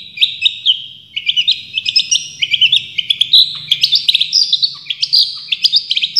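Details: Long-tailed Shrike, champion cendet, in full tembakan style: jerky, stuttering phrases of short whistled and squeaky notes that step upward in pitch over the passage, delivered quickly with tiny gaps.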